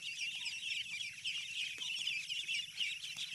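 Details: Ducklings on a farm: a dense chorus of high, thin peeps from many chicks, continuous, with a low steady hum underneath.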